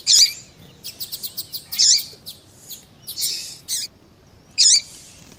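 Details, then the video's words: Double-collared seedeater (coleiro tui tui), male and calling female, played to warm up a kept male's song: loud shrill harsh bursts recurring every couple of seconds, between runs of quick soft ticking chirps. "ESQUENTAR COLEIRO TUÍ TUÍ COM COLEIRO TUÍ TUÍ E FÊMEA CHAMANDO PARA ESQUENTAR COLEIRO TUÍ TUÍ"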